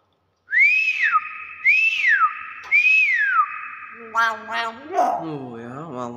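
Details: Common hill myna giving three loud whistled notes, each arching up and sliding down about a second apart, then a harsh nasal, wavering call, indoors with a person speaking.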